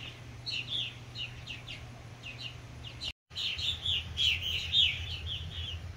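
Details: Adult purple martins encouraging new fledglings: rapid gurgling chirps and warbled notes, mostly high-pitched, in quick irregular bursts with a brief silent break midway; steady low hum underneath.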